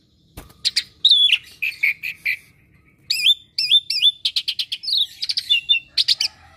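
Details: Varied song of a pet Asian pied starling known for copying other birds: sharp clicks, slurred whistles, repeated upswept notes and rapid chattering phrases.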